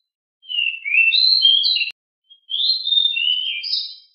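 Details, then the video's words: Pied bushchat, described as very agile and very noisy, singing two quick phrases of bright, warbling whistled notes that jump up and down in pitch, split by a short pause, with a clean silent background. "DECU sangat gesit suara sangat berisik"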